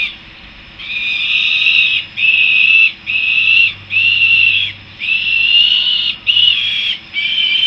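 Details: Peregrine falcon young coming back to the nest at Harrisburg, USA, giving a series of seven loud, harsh wailing notes of varying length in quick succession against a quiet background.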